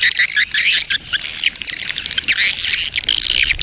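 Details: Swiftlet colony chatter used as a lure ('koloni birahi') to draw swiftlets; continuous high, raspy twittering from many overlapping birds, with wavering chirps throughout.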